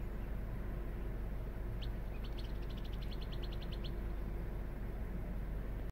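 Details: Female Scissor-tailed Flycatcher in McKinney, Texas, on 23 May 2018, recorded by cell phone from a car window: a quick stuttering run of about ten sharp, high chips over two seconds, nearly buried under a low rumble of wind or traffic.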